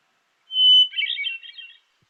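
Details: A Hermit Thrush sings one phrase, a song whose structure is based on the overtone series: a long, clear, pure whistled opening note, then a quick tumble of fluty, shimmering notes. No other sounds.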